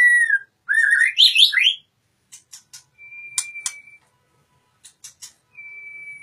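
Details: Oriental magpie-robin singing in captivity in Indonesia: a burst of rising whistled slurs and rapid twittering at the start, then scattered clicks and long flat steady whistles, separated by pauses.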